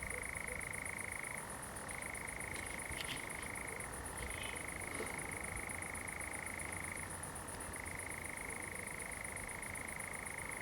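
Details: Night song of a common nightjar, pine plantation, Zamudio, Txorierri, Bizkaia, July 7 2020: a long reeling churr broken by three short lower-pitched shifts. A few faint higher notes come mid-way, and a high insect pulse runs steadily underneath.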